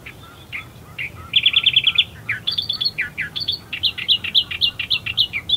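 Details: An Australian Reed Warbler sings among reeds at first light at Herdsman Lake, Perth, Western Australia: a loud, rich string of fast chattering trills, then sharp repeated notes about three a second, bright and scratchy.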